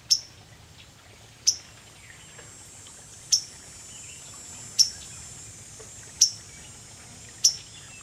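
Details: Waterthrush moving restlessly on a branch overhead on 30 July, giving a steady series of six loud, clipped, metallic chips at high pitch, about one every one and a half seconds, against quiet low-level ambient noise.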